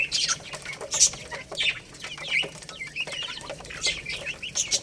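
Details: Lohmann Brown chicks feeding on rice, a growing rooster and baby hen; sharp high peeps and chirps arrive in uneven bursts over soft clicking sounds.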